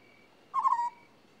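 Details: A single African scops owl call, a short vibrating low 'prrrp' that tails off slightly in pitch, heard against a quiet, even high whine.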